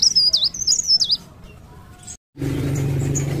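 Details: Leaf warbler, locally called blerengan or cikrak daun, singing actively: a quick run of high, thin, wavering whistled notes lasting about a second, followed by a low hum and background noise.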